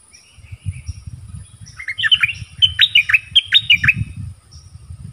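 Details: Mate-calling decoy bird recorded in a Thai forest on 13 January 2021: a faint chirp, then a lively sequence of sharp, downslurred chirping notes, with steady low rumbling and handling noise throughout.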